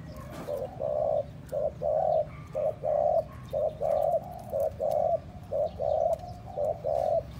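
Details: Spotted dove cooing to excite and attract other doves: clear, regular hollow coos, short and longer notes alternating at about one per second, over a soft low rumble.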